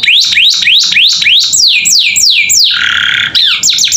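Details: Captive canary song used as master tutor audio for young birds learning to sing, a vigorous gacor filler style: rapid downslurred whistled sweeps, about three per second, then a steady buzzy trill and more quick sweeps.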